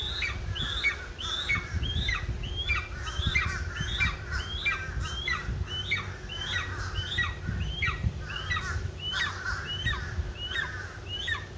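Golden eagle giving a steady series of thin, high, down-slurred yelps, about one and a half per second, over a low rumble of wind.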